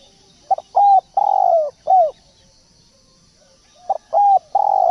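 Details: Spotted dove decoy call used to lure birds: two cooing phrases, each a quick stuttered note, a rounded coo, then a long burry coo sliding downward, separated by a few seconds of quiet.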